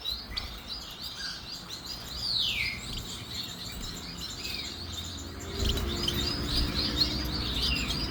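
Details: Society finch, a fawn saddle-back and white bird, giving soft chirps and a downward-sweeping whistled note, followed by a run of quick repeated high chirps, over steady low background noise.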